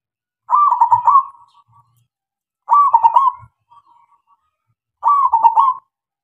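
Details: Local zebra dove song used as a lure to get other doves singing: three rolling, throaty coo phrases near one pitch, each about a second long, repeated every two seconds or so, with faint low knocks between.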